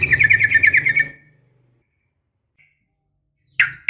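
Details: Female yellow-vented bulbul calling a male: a one-second bubbling 'ropel' trill with a low hum, silence, then two abrupt sharp chirps.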